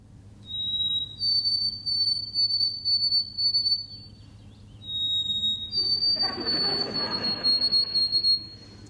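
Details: Two pure whistled White-throated Sparrow songs heard in Ohio, the classic "sweet Canada Canada" song used to defend territory and attract mates: a lower opening note, then a higher held note breaking into rapid repeated triplets, with a brief rustle.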